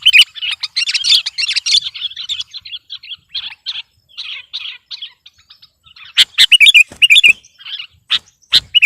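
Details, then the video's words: Sooty-headed bulbul singing to overpower a rival, starting with busy warbling chatter that fades into softer twitters, then sharp loud whistled notes returning near the end. "Suara burung kutilang gacor || menekan lawan 100%"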